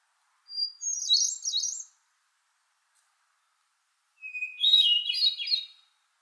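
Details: Two ethereal hermit thrush song phrases separated by a silent gap. The first opens on a high held whistle, and the second on a lower one. Each is followed by a rapid tumble of fluty, echoing notes. Quiet setting.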